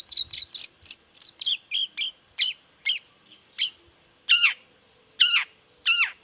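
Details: Long-tailed shrike in morning song meant to prompt other shrikes to reply: quick bright chips that slow and spread apart, ending in three loud, drawn-out, down-slurred harsh notes.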